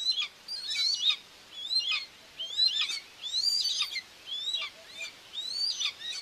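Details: Nest-cam recording from Tiszalök, Hungary, 2 June 2024: a common buzzard mother feeds her two chicks. Repeated high, slurred, arching calls come in bursts about once a second over a faint background hiss.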